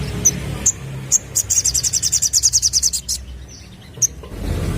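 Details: Sunbird lure for attracting young birds: a few isolated high chips, then a fast, evenly pulsed buzzy trill lasting about two seconds, followed by a single chip and low background noise.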